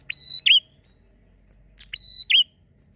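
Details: Lure song of a Bar-winged prinia in lively drawn-out style: two identical phrases about two seconds apart. Each begins with a short sharp note, holds a bright high whistle, then snaps into a dipping twist.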